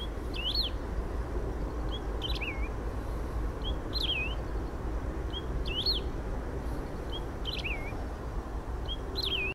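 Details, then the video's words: A Lesser Grass-Finch sings short, high phrases of looping, slurred notes, repeated roughly every one to two seconds over a steady low rumble. "canario do brejo canto"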